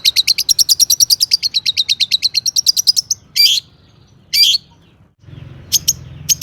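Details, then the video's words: Long-tailed shrike in full, active song rich in mimicked phrases, used as a lure to set other shrikes singing: a fast run of about twenty-five high, clipped notes, then a few short harsh bursts separated by pauses. "burung cendet gacor ISIAN AMPUH untuk PANCINGAN CENDET AGAR BUNYI bikin BURUNG PENTET GACOR SEKETIKA"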